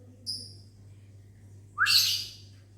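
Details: Morning reply from a lovebird kept in a small aviary: one brief whistled human note, then the bird's loud rising, rasping shriek lasting under half a second, with a quiet hum beneath.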